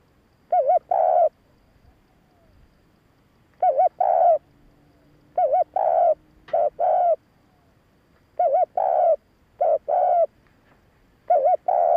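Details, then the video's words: Spotted dove giving its luring coo meant to excite males, a series of paired phrases, a wobbling note followed by a drawn-out coo, repeated irregularly with one brief sharp click. "Tiếng cu gáy hạp bổi gáy - thúc - gù bổi nghe nhanh về cội / Tiếng chim cu gáy thúc gù kích bổi"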